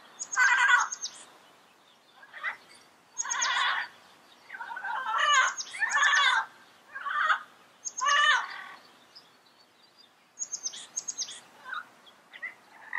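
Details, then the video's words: Wild yellow-headed parrots calling: a sequence of about ten loud, harsh squawks with whistled upper overtones, spaced irregularly roughly a second apart, with quieter chatter between. "Yellow-Headed Parrot Sounds - Natural Bird Calls and Songs in the Wild"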